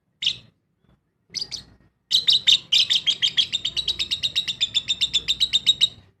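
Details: Lovebird in an aviary colony: two isolated shrill chirps, then a steady four-second series of rapid high pulsed chirps, roughly four per second, tapering off at the end.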